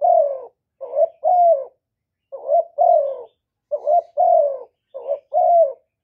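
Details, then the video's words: Spotted dove calling, cooing and urging, recorded directly without background noise to stimulate males: paired low coos with slightly falling second notes, given in bursts separated by brief pauses. "Cu gáy Hạp Bổi Gáy Gọi + Gù + Thúc + kèm kích bổi, chim cu đất gáy, cu cườm gáy, tiếng chim cu"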